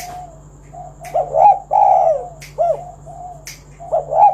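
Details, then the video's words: Spotted dove calling loudly to lure other doves into singing: short, low cooing phrases with a rising, bent note, broken by pauses and sharp clicks. "Tekukur Kuk 1 Gacor Suara Panggilan Burung Derkuku agar Bunyi Gacor Manggung"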